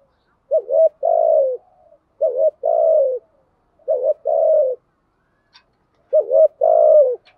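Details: Spotted dove lure calls, thúc gù and gáy gọi styles used to bring in wild doves; four short phrases, each a wavering two-part note leading into a longer falling coo, repeated every second or so.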